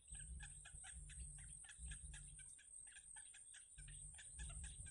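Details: Yellow bittern chicks in a wild nest, being fed by their mother, give rapid harsh clucking calls in dense overlapping bursts, over a steady high-pitched whine and a low rumbling hum.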